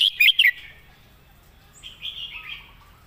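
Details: Red-whiskered bulbul song-tutor bird opens with a brief phrase of three bright, rolling notes, then falls quiet while softer distant birds twitter.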